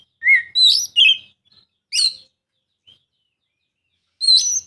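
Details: Oriental magpie-robin song used to encourage a silent bird to sing: quick whistled and chirping notes in a short burst, a single sharp chirp, a pause, then a high bright phrase.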